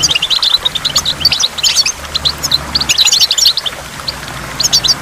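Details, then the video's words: Lively goldfinch song near a waterfall: rapid clusters of high, tinkling chirps and trills in bursts about a second long, separated by brief pauses, against faint background noise. "in the waterfall stimulates goldfinch and water drops"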